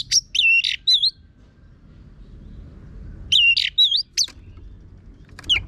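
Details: Orange-headed thrush song with a coarse voice, used to train birds to sing: two bursts of rapid twisting, looping whistles separated by a quiet gap, ending with a single falling note.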